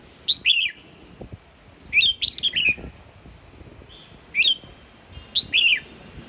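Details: Red-whiskered bulbul from Sông Kon, Quảng Nam, singing in the morning: short bright warbled phrases of two to four rising and falling whistled notes, given in bursts about every one to two seconds, with quiet gaps between them.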